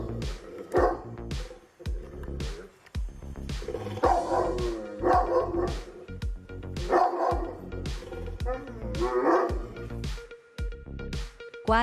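A Fila Brasileiro gives deep, loud barks in a steady series, with music playing underneath.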